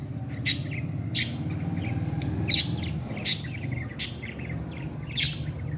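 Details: Young parrot at feeding time, calling with short, piercing chirps spaced about a second apart against a constant low background rumble.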